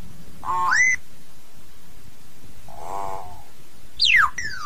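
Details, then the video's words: Common hill myna calling the flock: a rising whistle that climbs sharply, then a nasal, buzzy mid-pitched note, then a clear whistle sweeping steeply downward, over a low background rumble. "Tiếng Nhồng hót, tiếng Yểng hót gọi đàn"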